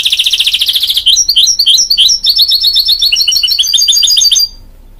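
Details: Singing mule, a goldfinch and canary cross: a fast dense buzzy trill for a second, then a long run of rapid high twittering notes that stops abruptly.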